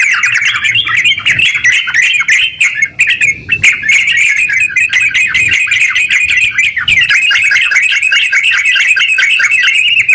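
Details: Long rapid 'ngeropel' singing of a kept sooty-headed bulbul, meant to stimulate silent bulbuls to sing. Continuous tumbling, chattering warbles pour out for ten seconds with brief dips, crowded with quick sharp notes and faint low background rumble.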